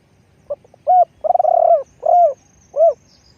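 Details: Spotted dove used as a decoy for luring wild doves, giving a low cooing phrase: a short soft note, a long rolling trilled coo, then two clean falling coos, with a faint high whine in the background.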